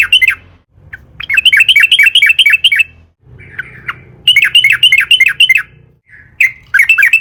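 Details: Sooty-headed bulbul singing as a lure for other bulbuls, in three bursts of rapid, chattering whistled notes separated by brief gaps, each burst lively and tumbling, with a low hum underneath.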